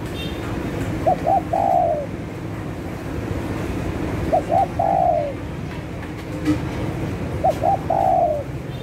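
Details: Lively spotted dove lure call: three evenly spaced phrases, each two brief coos and a longer falling coo, roughly every three seconds, with a faint low background rumble.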